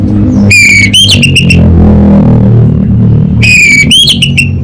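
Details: Anis bata, the orange-headed thrush, delivering a gacor kabel konslet song: two loud, ringing whistled phrases with quick rising and falling notes, a gap between them, and a constant low droning background.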